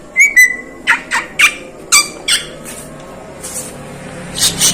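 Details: Asian pied starling uttering a sharp whistled note followed by a series of short, harsh squawks spaced roughly half a second apart, trailing off into softer rasps, in a quiet room.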